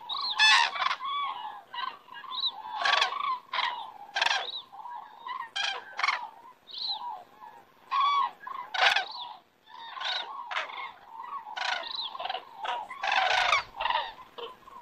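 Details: Common cranes flying by in the Estonian evening sky, September 2017; sharp, loud bugling calls come in separate bursts, with quieter rolling calls from other cranes in between.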